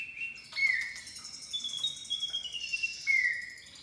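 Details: Javan pied starling lure sound, used to prompt the bird into singing its full repertoire: clear descending whistled notes, a longer wavering high whistle in the middle, and another downslurred whistle near the end over a quiet background.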